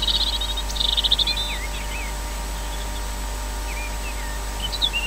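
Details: An osprey at Glaslyn pipes as it lands, a rapid burst of high, whistled notes, then scattered softer chirps, over a steady electrical hum and low background rumble.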